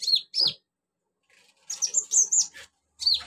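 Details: Shrill chirps from a Van Hasselt's sunbird whose song imitates crickets, chicks, cililin and golden grasshopper; two sharp descending squeaks, a quiet gap, then a quick run of high warbled notes and a final downslurred chirp.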